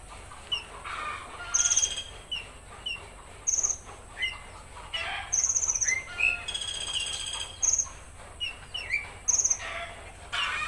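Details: Konin delivering 'tembakan kasar' rough burst song: repeated short high buzzy rattles every second or two, with sharp upslurred whistles and chirps between them. Low background hum.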